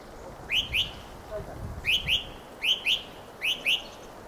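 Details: A Fieldfare (Turdus pilaris) sings squeaky, upward-sliding notes in quick pairs, four pairs in about four seconds, over a faint low rumble.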